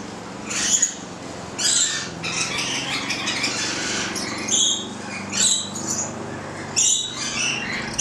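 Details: Stella's lorikeet feeding on bread, 25 April 2014, gives harsh high squawks and screechy bursts in clusters every second or so, with a constant low background hum.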